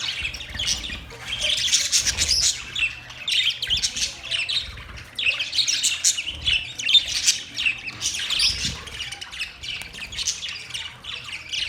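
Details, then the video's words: Budgies keep up a long, continuous, scratchy warble of high squeaks and chirrups, rising and falling in loudness in waves every couple of seconds, with faint low thumps underneath. "Budgies birds chirping sounds Budgies parrot sounds"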